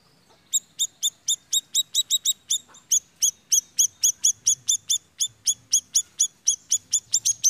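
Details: A small minivet sings a fast, steady run of thin, high, sweet notes, about three or four each second, on a quiet background; used as a lure call for bird trapping and to prompt singing.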